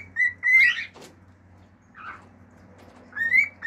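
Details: Pet male cockatiel singing natural songs at home: level whistles followed by a harsh burst and a click, a soft squeaky note mid-way, and a closing rising whistle.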